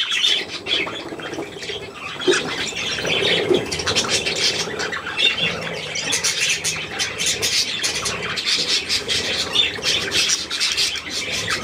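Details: Budgerigar youngsters at millet on 3 May 2024 keep up busy, overlapping high-pitched twittering and scratchy chirps throughout, louder and denser in the second half, with a few lower rasping notes early on.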